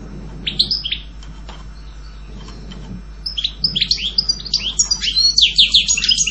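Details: A European goldfinch gives a few sharp chirps, then after quiet background noise bursts into a quickening, high tinkling twitter that grows louder toward the end.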